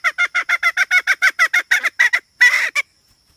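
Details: Hen uttering a quick string of about a dozen short, nasal, honking notes, evenly paced, ending with a longer rough note and a final short call.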